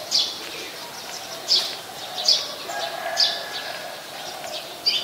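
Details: Brown-throated sunbird at Ubon Ratchathani, Thailand, 13 January: sharp high chirps at irregular intervals of about one to one and a half seconds, over a faint low hum and other background birds.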